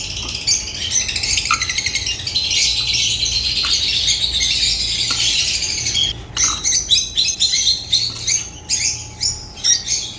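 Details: African lovebirds chirping: a dense, busy stream of high, rapid chirps and chatter for six seconds, then sharper separate squawky chirps in quick bursts, with a faint steady hum beneath.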